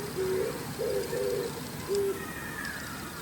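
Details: Oriental turtle dove calling in the morning while preening on an antenna gives a low, hoarse coo of four short notes, the middle two run together, over a soft background hum.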